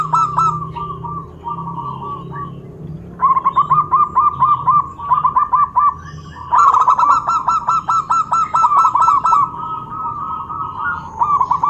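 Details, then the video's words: Zebra dove calls meant to make other doves answer back, long series of quick staccato rolling coos in repeated bursts, some loud and buzzy, over a low background hum. "Suara perkutut Bikin EMOSI perkutut lain naik Suara Langsung Nyaut"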